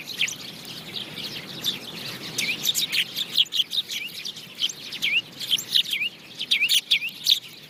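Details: House sparrow chirps, softer and mixed at first, then louder toward the end, with clear downslurred notes repeated in uneven bursts over faint background noise.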